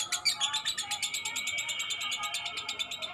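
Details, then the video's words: Balibu lovebird, a young bird, keeping up steady ngekek chattering: quick buzzy pulses repeated several times a second without pause through the whole short stretch. "TERAPI SUARA LOVE BIRD BALIBU GACOR NGEKEK PANJANG"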